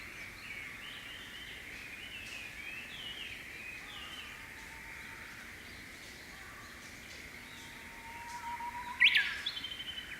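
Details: Japanese bush warbler singing in May, one bird perched on a Japanese pampas grass seed head one morning; a long low whistle gives way near the end to a loud, quick, broken flourish, over faint high twittering from other birds.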